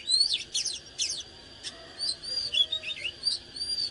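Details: Oriental magpie-robin singing energetically (căng lửa): a burst of sharp high chips, then sweet whistled notes, some arched and some dipping, spaced across the phrase over a constant faint high hum.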